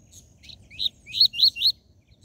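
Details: Seedeater song in the TUI TUI ZEL ZEL style, played to stimulate captive coleiro and papa-capim: a soft high note, then four loud, sweeping, slurred whistles about 0.2 seconds apart, over a faint low hum.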